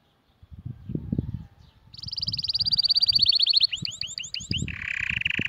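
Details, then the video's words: Canary song meant to train chicks and spur males and females to mate. A loud rapid rolling trill gives way to repeated curved whistled notes, then a steady buzzy tone, over low background thumping. "تغريد كناري خالي من الاخطاء لتعليم الفراخ وتهيج الذكور والاناث على التزاوج"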